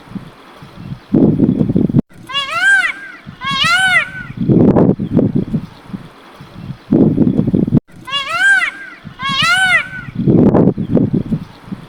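Peacock gives loud, nasal, wailing calls in pairs, each rising then falling, with the pair repeated after a pause. Low rumbling bursts, perhaps voices or water, come between.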